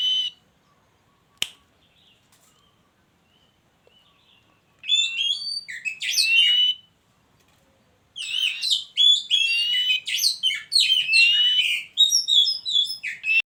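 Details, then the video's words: White-rumped shama kept in a hanging cage set together with a mating pair, delivering two long bouts of fast, varied whistled and chattering notes separated by a short pause, with a single sharp click earlier in near silence. "kacer kandang gantung di satuin lasung kawin"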